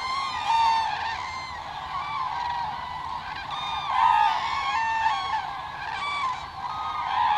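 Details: Flock of thousands of common cranes wintering in the Hula Valley, Israel, December 2022: loud, rolling, trumpeting calls overlapping into a continuous chorus, with louder bursts every second or two.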